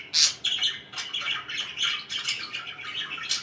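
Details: Budgerigars kept as pets give a loud squawky chirp at the start, then run on in a steady, gritty warble of quick notes and clicks.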